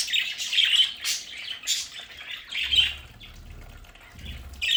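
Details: Pet budgerigars kept at home in a play area chirp and squawk in loose, uneven bursts, loud at first and then quieter, over a low rumbling background.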